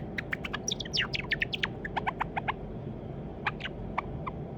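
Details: White Java sparrow kept at home, likely male, hand-raised from a chick, practising song: a rapid burst of clicks and swooping high chirps, then evenly spaced bell-like notes and a few sparse clicks, with low background hum.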